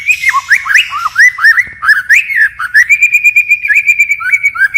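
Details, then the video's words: White-rumped shama singing forest-style with constant changes of phrase: swooping, liquid whistles, then a rapid string of repeated high, even chirps. "Chích chòe lửa hót giọng rừng hay đảo giọng liên tục"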